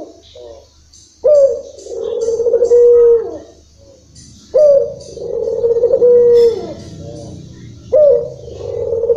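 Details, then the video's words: Barbary dove, local type, singing a long rhythm: three deep, drawn-out coos, each with a sudden start and a steady, resonant hum lasting around two seconds, separated by quiet gaps. "puter lokal irama panjang bikin syahdu"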